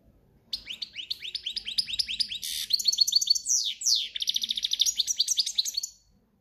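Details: European goldfinch in the Spanish country singing style known as cante campero; a fast run of high twittering, rising slurred notes, buzzy bursts and rapid trills lasting about five seconds, in a quiet setting.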